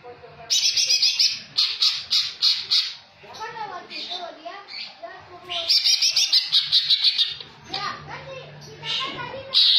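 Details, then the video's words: Greater green leafbird singing in the jamtrok style, filled with kingfisher imitations. Bursts of rapid, bright, chattering high notes come in repeated runs broken by short pauses, with lower warbled notes between them. "cucak hijau jamtrok isian tengkek"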